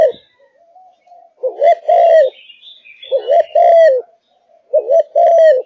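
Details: Kept spotted dove of Malaysian origin in strong singing form. Three phrases each pair a wavering double coo with a longer, level-then-falling note, spaced about one and a half seconds apart, over faint higher twitters.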